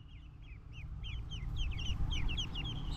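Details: Ducklings pecking at tender green grass while feeding, giving a rapid stream of high, short, down-slurred peeps that quicken and overlap, over a low rumbling background.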